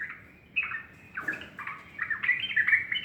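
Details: Sooty-headed bulbul singing in the morning: quieter opening notes, then a brighter run of warbled, bubbly whistles building toward the end.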